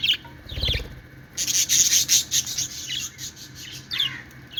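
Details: Cheerful budgies playing: a few sharp chirps, a brief low thump, then a continuous rush of high, scratchy warbling and chirps.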